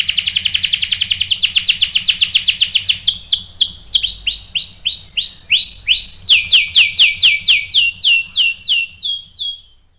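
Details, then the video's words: Singing canary used as a lure to draw sharp rolling answers from other canaries: quick repeated chirps that lengthen into looping downslurred notes, then a fresh series of strong descending phrases fading out at the end. "PANCINGAN KENARI GACOR bikin EMOSI jadi NYAUT NGEROL TAJAM | CANARY SINGING"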